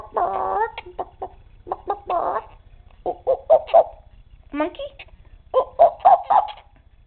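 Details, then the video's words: Pet male Quaker parrot, caged indoors, acting silly and shy, talking and clucking like a chicken: short harmonic, voice-like syllables in irregular bursts, some grouped in quick triplets, with pauses between. "Quaker Parrot talking and being silly"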